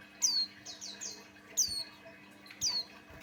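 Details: Male white-eye of the Buxtoni type, known as opior jawa, singing as a lure for other white-eyes. A run of four high falling whistles is followed by two single sharp downslurs, with low background hum.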